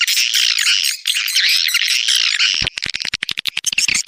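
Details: Outdoor lure call SP Anak Gembala, from Indonesia, used at swiftlet houses around Sóc Trăng and Đắk Nông, Vietnam: steady rolling twitter for over two seconds, then a fast train of sharp clicks.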